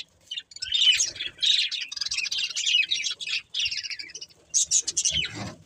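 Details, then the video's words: Busy budgerigar warbling in chirpy bursts of high, buzzy notes, ending with a sharper squawky flurry and a soft low rumble. "Budgies Chirping Sounds"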